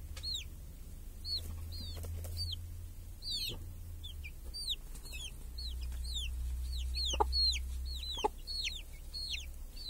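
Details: Village chickens, a hen with chicks grazing under a protective cage on a clear summer day: repeated high downslurred chick peeps in quick bursts, a couple of sharp clicks, over a low steady rumble.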